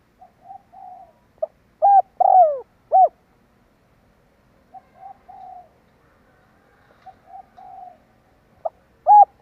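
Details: Spotted dove lure call. Faint soft coos lead into a full phrase of level coo, long downward-sliding coo and short end coo. After a quiet gap, more soft introductory coos and another phrase beginning.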